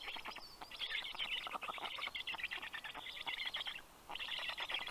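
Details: Black stork nestlings beg as the adult male arrives with fish at a nest in Karula National Park, Estonia, 11:00 am, 11 June 2023. Harsh buzzy stuttering bursts break into a brief pause, then resume.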